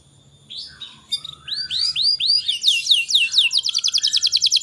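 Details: Canary singing to get young canaries singing quickly; soft scattered notes build into loud arched whistles, then speed into a rapid, ringing high trill.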